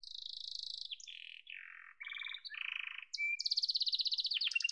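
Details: Yellow domestic canary singing a chain of steady buzzy trills that step down from high to mid pitch, then a brief thin whistle and a fast, loud, high rattling trill at the end.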